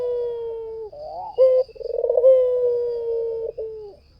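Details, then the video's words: White dove singing actively as a lure bird: a sustained low coo, a rising throaty warble, a short coo, then a pulsing trembling note running into a long level coo that dips at the end. "SUARA PUTER PUTIH FULL GACOR || PANCINGAN AMPUH || SUARA BURUNG PUTER GACOR"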